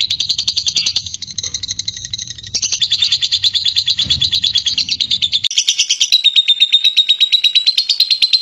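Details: Long ngekek trill by a lovebird, a chattering stream of high clipped notes that shifts pitch midway and ends in a drawn-out thin whistle over the rapid chatter.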